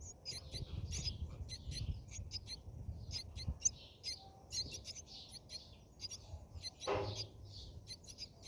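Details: High, scratchy chirps from a Brahminy starling nest, heard from within during feeding, arrive in loose irregular bursts; a single dull thump sounds near the end, over faint low hum.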